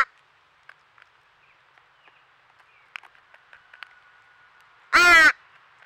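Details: Young crow at a squirrel feeder in Nova Scotia, Canada, among its noisy family: faint clicks and soft scattered notes, then one loud, hoarse caw near the end.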